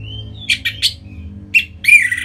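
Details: Orange-headed thrush from Bali, song meant to stimulate other birds: a thin drawn-out whistle followed by harsh, rasping chirps and a final scratchy burst over steady low hum.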